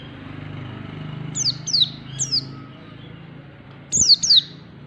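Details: Captive white-eye (pleci) learning the fast 'ngalas' song style, used as lure training: sharp high downslurred chirps in quick pairs and triples, two bursts with a pause between, over a low background hum.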